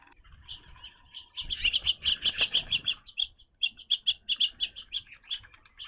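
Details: Evening grosbeaks at a bird feeder, newly seen at this location: a busy run of short, bright chirps, roughly three a second, packed densest around the middle and easing later, over soft low rustling and flutter.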